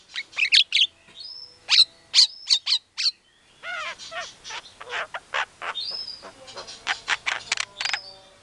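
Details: White-rumped shama lure song meant to make listening shamas reply aggressively: sharp loud clipped notes alternating with brief whistled slurs, then a denser stretch of rapid harsh chatter and downward-curving notes.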